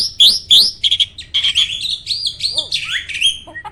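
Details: Loud, incessant song of a contest jalak, a caged starling: strident rising whistles, quick chattering notes and a descending slur, with sounds that seem to overlap.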